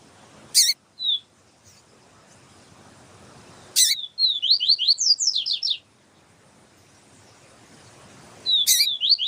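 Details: Siu-siu song of the yellow-bellied seedeater alongside a calling female, meant to stimulate males. Repeated sharp clicks separate a single whistle, a long two-second run of rapid descending slurs, and a final song start.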